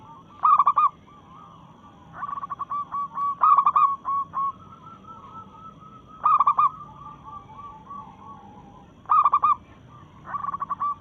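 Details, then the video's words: Local zebra dove singing actively in breeding mood, challenging rivals: loud bursts of quick, throaty cooing notes about every three seconds, with softer rolling coos between them. "Perkutut Lokal Gacor SUARA menantang lawan"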